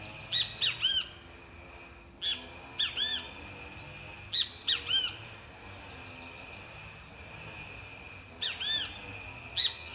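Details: Great kiskadee singing; repeated loud three-note phrases of sharp, arched harmonic notes, about six bursts spaced one to two seconds apart, with a constant high-pitched whine and a few faint distant chirps behind.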